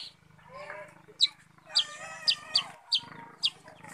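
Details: Sooty-headed bulbul in lively song: short liquid whistled phrases in the mid range, broken by sharp high chips repeated about twice a second, over a steady low hum.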